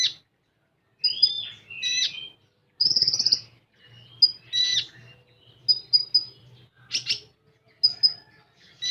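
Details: Common iora in 'tembakan' song: separate bursts of high pips, harsh rattling buzzes and sliding whistles with short silent gaps, over a faint steady low hum in the middle.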